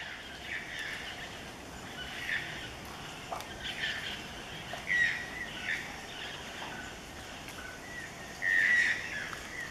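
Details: Robust woodpecker in a hostel backyard giving two short, harsh, nasal call notes, one at mid-clip and a louder one near the end, over a steady forest hiss.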